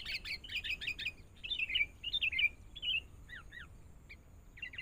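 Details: Sooty-headed bulbul, a wild-caught bird in training, giving bright, bubbly whistled phrases in quick runs, then slurred rising and falling notes and short paired chirps, over a faint low background hum.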